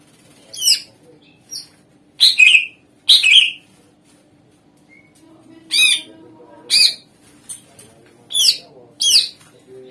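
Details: Greater green leafbird in full voice, played as a lure for other songbirds: scattered loud, harsh, sweeping chip notes and squawky bursts at irregular intervals over about ten seconds, with a soft low hum underneath.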